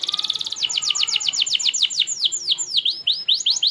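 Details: Training song of a canary for young birds: a quick pulsed trill leading into a steady run of sharp downward-sweeping notes, about five per second, then looping V-shaped whistles.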